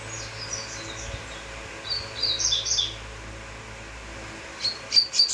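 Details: Double-collared seedeater, known as uruguayo, singing: a series of short, high, sharp whistled notes in loose clusters, some rising and falling, with a louder quick burst near the end over faint low background hum.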